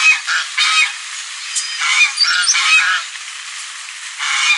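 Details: Domestic farm geese give harsh, nasal honks in loud bursts, several overlapping in quick succession, with quieter gaps between the outbursts.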